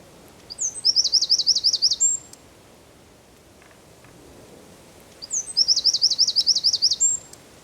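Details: Eurasian wren in Zamudio's San Miguel de Daño area, 4 December 2019, delivering two loud high-pitched trilled phrases about three seconds apart, each a fast run of sharp repeated notes ending with a thin whistle.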